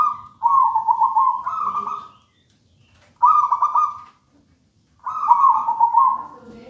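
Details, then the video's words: Wild local zebra dove from a raja banana plant nest singing three separate loud, rolling, trilled cooing phrases, the first longest, with short silences between. "Perkutut manggung gacor"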